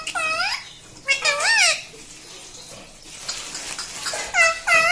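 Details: Pet ringneck parrot indoors giving loud, harmonic screeching calls that rise and fall in arcs, in a few bursts separated by quieter stretches of room noise.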